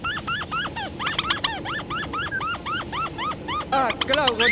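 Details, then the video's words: White-breasted waterhen at Kuala Tanjung, Batu Bara, gives a steady run of nasal, rising-and-falling notes, about four a second, ending in a harsher chatter, over a low background hum. "morheen (mandar batu)"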